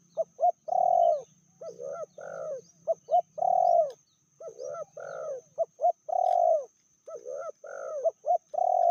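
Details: Female spotted dove, said to be fiercer than the male and to have a medium voice, giving repeated cooing phrases: two short low coos, then a longer rolling, burred coo. The phrases run back to back with a faint steady high whine behind.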